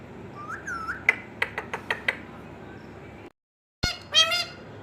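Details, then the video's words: Pet Indian ringneck parakeet talking indoors; a few short squeaky whistled phrases, a burst of rapid clicks, then a brief break and harsh chattering syllables, with faint room noise. "Talking Parrot | Mithu Voice"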